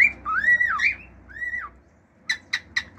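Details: Pet male cockatiel singing its natural song, arched whistles sliding up and down, then four short sharp clicking chirps in quick succession near the end.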